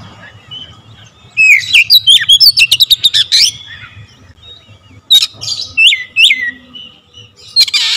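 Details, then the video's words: Rapid, tightly packed song from an Oriental magpie-robin: a long run of fast whistles and clicks, a pause, then scattered whistled notes and a closing harsh buzzy burst. "Kacer gacor nembak rapat full variasi isian"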